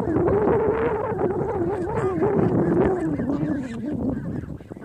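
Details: Geese by a lake, a dense mass of overlapping nasal honks merging into a continuous chorus with a steady tone that slowly drops toward the end, loud and close throughout.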